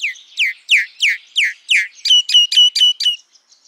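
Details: Common myna giving loud, clear calls: five downward-slurred whistled notes about every third of a second, then a faster run of five flat, harsh, piping notes, in a quiet setting.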